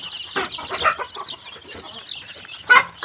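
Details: Tiger chicken chicks at a poultry farm in Sirajganj Sadar, Bangladesh, give thin high peeps in quick irregular bursts, with lower clucking and scattered handling noises, and a louder sharp peep near the end.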